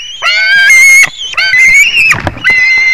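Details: A white-tailed eagle (Haliaeetus albicilla), recorded 21 July 2019 at 22:10, gives loud, shrill, slightly rising yelping notes in three drawn-out bursts, each under a second long, with little else heard.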